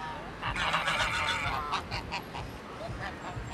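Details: Angry geese gang yelling and screaming, a male goose agitated: a long harsh rasping honk early on, then rapid short honks repeated several times a second, against low background noise.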